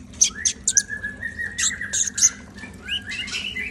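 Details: Konin (brown-throated sunbird) in lively song: high sharp chirps sit above a long, level whistled tone, then a few rising slurred notes close the phrase.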